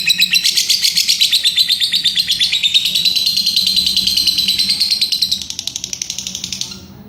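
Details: A lovebird in ngekek chatter: a long burst of quick, shrill, tightly packed notes that runs on for several seconds, then weakens and trails off into quiet near the end.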